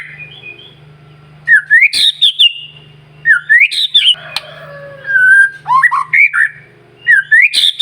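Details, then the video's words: White-rumped shama singing constantly to provoke other shamas: repeated bursts of rising whistles capped with sharp high chips, a lower slurred whistle between them, steady faint hum in the background. "murai batu gacor SIANG MALAM GACOR TERUS, Cocok Untuk Memancing Emosi Burung Murai NGELOWO"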